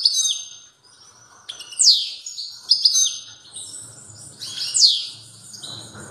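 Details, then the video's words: European goldfinch in strong song, delivering a few loud descending swept notes about once a second among softer twittering, with a faint low hum in the background. "تغريد قوي لطائر الموقنين"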